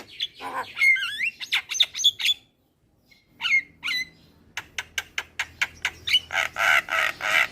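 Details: Javan myna as a singing lure for young birds: harsh squawk and descending slurred whistles, a brief pause, then a quickening series of clicks leading into loud grating rasps at the end.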